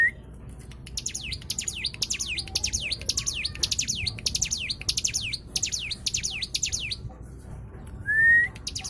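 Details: White-eye singing as a lure to prompt other birds to sing: a fast series of piercing, downward-slurred chirps for about six seconds, then quiet and a short rising whistle.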